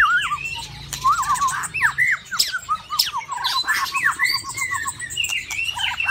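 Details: Caged white-rumped shama during mating season pours out rapid bouncy whistles and chattering notes, fairly continuous, over a low background hum.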